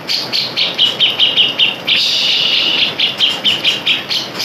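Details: Grey-cheeked bulbul, used as a lure to rouse caged birds' breeding drive and aggression: a fast run of bright, chattering notes in bursts around two to four seconds apart, with a brief continuous stretch midway.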